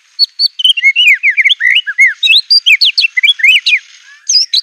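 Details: Aggressive white-rumped shama song loaded with imitated material. A dense, loud stream of varied whistled phrases, with rising and falling slurs tumbling together, then a brief pause before high notes resume. Clean recording.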